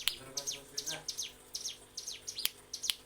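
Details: Mountain prinia song used as a master recording for training captive birds: high, thin chirps and quick down-slurred notes in short bursts, with sharp clicky accents near the end.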